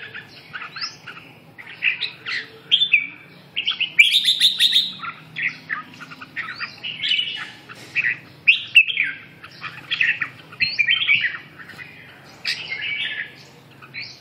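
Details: Song of a red-whiskered bulbul: a steady run of quick chirped and warbled phrases with short gaps between them, a brief high buzzy trill in the middle, and a low background hum.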